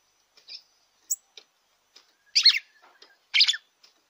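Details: Red-cowled cardinal song used to warm up a kept bird: soft high chips lead into two loud, throaty, descending phrases about a second apart, with quieter murmured notes between them.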